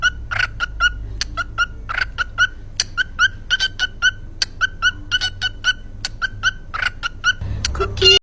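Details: Caged pet cockatiel singing the "Cookie" song: a long run of short, sharp chirped notes, roughly one a second, in an uneven rhythm. A brief louder burst comes at the end.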